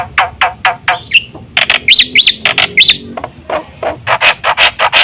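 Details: Black-winged myna song meant to provoke other mynas to sing: harsh, broadband rasping notes in quick series, broken by a few arched whistled phrases in the middle, then more rapid scratchy bursts.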